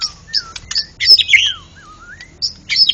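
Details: Contest white-rumped shama, national champion, singing ngeplong gacor: thin high notes, smooth sliding whistles dropping and rising, and short buzzy accents, separated by small pauses.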